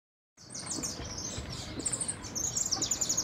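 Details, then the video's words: Young (pintón) European goldfinch singing in bad weather: high, rapid tinkling twitters and liquid trills, fast and irregular, over low background rumble. "Los jilguero"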